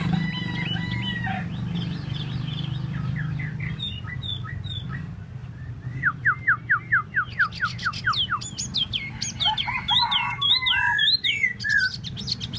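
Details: Tieu mi bird kept for solo singing, delivering a varied song: scattered high whistles and trills, then a fast run of sharp downslurred notes repeated about twice a second, ending in looping warbled phrases, over a low background hum.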